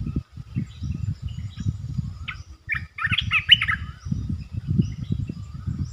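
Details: Red-eyed bulbul, the local territory holder, produces a rapid bubbling phrase near the middle, set against continuous low rumble and background noise.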